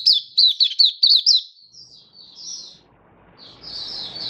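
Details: Kept oriental white-eye (Mata Puteh), happy 'buka' song, 24 February 2023. Opens with a quick burst of six high chirps, then softer drawn-out high notes trailing off over light background noise.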